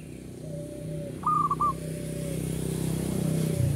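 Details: Local Indonesian zebra dove, uraa umum style, singing actively: one short broken cooing phrase heard over loud engine rumble.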